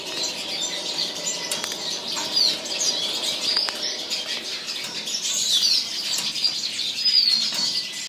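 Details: Captive-bred White-bellied canary (Crithagra dorsostriata), hatched 2013, singing: a dense, continuous run of thin, high twittering and chirps with no pauses, broken now and then by soft fluttering wingbeats.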